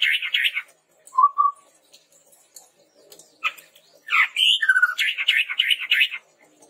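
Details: Chestnut-rumped babbler song used as a lure for training birds. Buzzy, scratchy phrases are broken by a single low whistle, then a dense run of rising and falling notes and trills follows.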